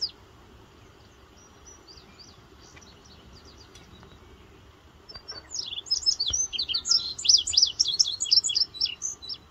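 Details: Wild Indigo Bunting in West Virginia, recently returned for spring, singing on a June 8, 2023 morning during quail chores: faint thin high notes at first, then a louder run of sharp, high, paired notes lasting several seconds over quiet rural background.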